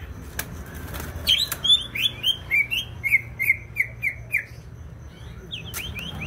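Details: Greater green leafbird, Banyuwangi, East Java, in persistent song: a rapid rhythmic sequence of loud whistled notes sliding slightly downward, about three per second, framed by a few sharp clicks.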